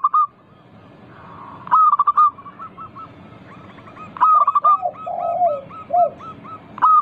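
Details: Local zebra dove singing actively, used as a lure to make other doves sing: sharp stuttering notes in rapid bursts, trailing into softer rolling coos, bursts repeating every two to three seconds against a low background hum.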